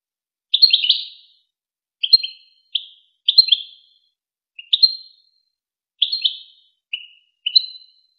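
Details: European goldfinch singing in the Wakr Touzgha style, a recording meant for training chicks and hybrids: eight short high twittered phrases, liquid and tinkling, repeated every second or so at an uneven pace against silence.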